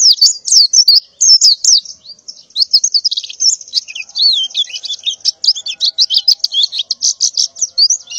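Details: Breeding-condition female white-eye calling to males in the morning: lively high twittering, a mix of quick chirps and slurred notes running almost without pause.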